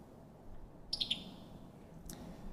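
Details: Summer tanager (Piranga rubra), likely a male, gives its subtle "pck"-type call, a quick, dry chatter of three clipped notes, pik-i-tuck, plus one brief note over a low rumble; calls even through the middle of the day from up in a tree.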